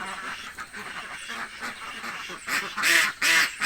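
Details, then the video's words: Village ducks, very hungry, start with scattered soft quacks, then build to loud, harsh, drawn-out quacks near the end, several rapid bursts close together. "duck quack hungry sound effects"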